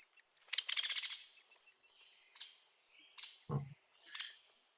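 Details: Hairy woodpecker of the Sierra Nevada giving its whinny-like rattle, an even run of high, sharp notes over about half a second that does not drop off or descend at the end, followed by scattered fainter chips and a low thump.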